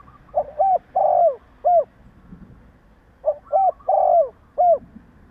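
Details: Spotted dove, male voice used as a lure to provoke other doves: two phrases of low hollow coos, each two short notes, a long drawn note, then a short final note, with a quiet pause between phrases.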